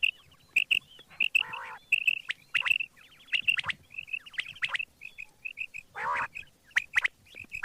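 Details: Dense morning quail calling: steady stream of short, high chirps and clicks, broken twice by rough, nasal squawking bursts.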